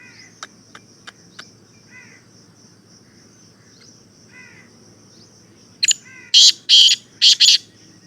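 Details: Black francolin giving its call: scattered faint clicks and soft chirps, then a loud series of four harsh, grating notes near the end, over a steady high insect-like hiss.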